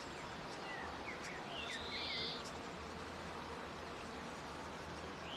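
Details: Grey fantail (Rhipidura albiscapa), song.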